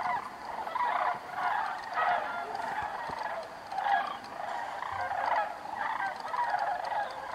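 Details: A flock of sandhill cranes soaring on a thermal during northward migration at Bandelier National Monument keeps up rolling, rattling calls in repeated overlapping bursts for over seven seconds, with scattered low knocks.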